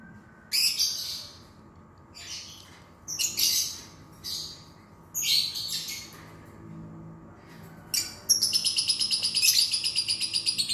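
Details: Lovebird song played to prompt a lazy lovebird to sing: bursts of harsh, high, buzzy chattering about a second long, separated by short pauses, ending in a long rapid rattling trill, over a low constant hum.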